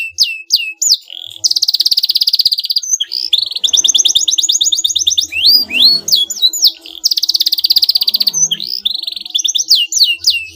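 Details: Canary song to make a rival answer at once: sharp upswept whistles, a long dense buzzy trill, further rapid trills and swooping notes alternating throughout, with faint low hum in the background.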